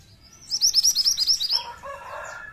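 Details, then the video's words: Song of a pied triller, played to attract others of its kind: a loud trill of about ten quick, ringing high notes, followed by a lower, rough buzzing sound. "Burung Mantenan Gacor Ampuh pancing mantenan ombyokan"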